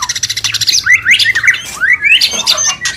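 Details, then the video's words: Mating call of a White-rumped shama, meant to bring a bird into breeding condition: rapid pulsed chatter giving way to bright rising whistled slurs, several in quick succession. "Murai Kawin Suara Jernih"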